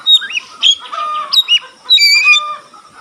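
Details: Fired-up white-rumped shama, whose tail spreads as it sings, in a varied run of whistled and slurred notes mixing clear rising whistles with harsher buzzy phrases, each short phrase separated by brief gaps.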